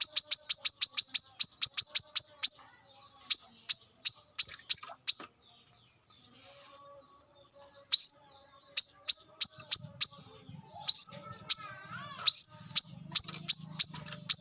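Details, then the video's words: Wild brown-throated sunbird song used as a lure: a fast run of piercing high chips, then spaced rising slurred notes and chips after a silent pause, with a faint low hum late on. "kolibri kelapa | manggar | wiceh | pancingan korlap dengan suara asli alam liar"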